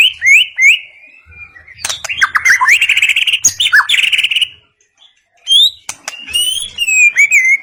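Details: White-rumped shama from the forest singing varied phrases: bright whistled notes sliding upward, then a dense run of fast chattering and rattling notes, a brief pause, and more clear rising and falling whistles with sharp clicks.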